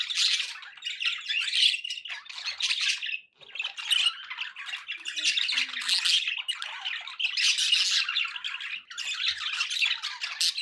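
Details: Several pet budgerigars chattering continuously: dense, scratchy warbles and squawky chirps overlapping without pause, with a short dip near three seconds before the busy twittering resumes; a faint low background hum.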